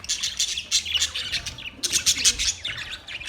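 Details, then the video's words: Budgerigars give rapid, rhythmic scratchy chirps in quick pulses, several birds chattering together in a lively, unbroken flock chatter. "Relaxing Parrot birds singing | Budgies chirping sounds"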